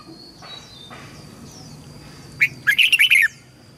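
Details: Red-whiskered bulbul training song meant to help young birds pick up song and get wild-caught birds singing. Faint distant chirps come first, then one loud phrase of six quick, rich, rolling notes near the end.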